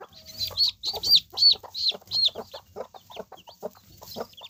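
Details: Three mother hens with seven chicks: a series of clear, arched high peeps about every third of a second, then lower rapid clucks and soft chirps continuing to the end.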